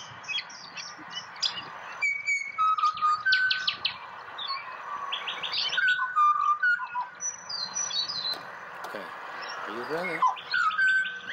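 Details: Pied butcherbird singing in the wild in Australia as a person encourages it, a run of pure, mellow whistles sliding between pitches, interrupted by busy twittering of other birds and a brief rising sweep near the end.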